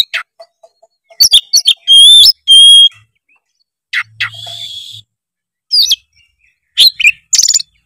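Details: Oriental magpie-robin song, rich in mimicked phrases, played as a lure to stir a reluctant bird into singing: sparse clear whistles and sharp chirps with pauses, plus a brief low hum midway.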